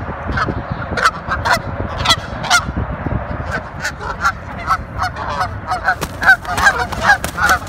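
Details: A wild Canada goose pair in New York City, described as always angry, honks loudly and repeatedly, harsh nasal calls about twice a second, overlapping, over a steady low rumble of background noise.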